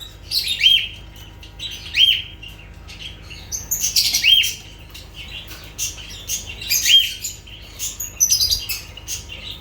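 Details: Lovebird squawks: sharp, piercing, scratchy calls repeated roughly every one to two seconds. Some run into brief chattering clusters, and quieter chirps fill the gaps.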